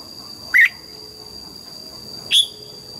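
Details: Red-whiskered bulbul singing in the morning during voice training: two brief, bright whistled notes about two seconds apart against a faint steady high tone and low background hiss.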